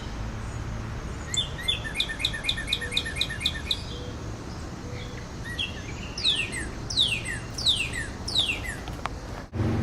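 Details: Male northern cardinal in a backyard, drawn in by a cardinal call played on a computer. A quick series of short paired whistles leads into four loud, sweeping downslurred whistles about half a second apart, with faint outdoor noise.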